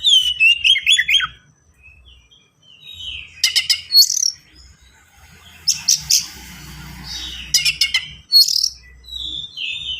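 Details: Oriental magpie-robin singing fast and dense with varied fills, used as a tutor for untrained birds: opening cascade of falling whistled notes, then clustered sharp notes, a harsh buzzy rasp and more whistles.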